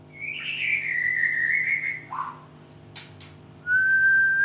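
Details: White-rumped shama in training, beginning to show emotion in its singing: a long slightly falling whistled phrase, a brief lower note, a click, then a clear steady rising whistle, over a low constant hum.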